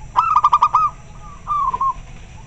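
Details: A local zebra dove calls clearly while answering another bird, giving a run of fast staccato notes that blends into a rolling coo, then a softer trailing coo after a short gap.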